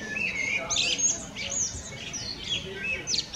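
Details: Common blackbird (Turdus merula) giving high, squeaky twittered phrases with thin rising and falling notes, broken by brief pauses, over a faint outdoor hum.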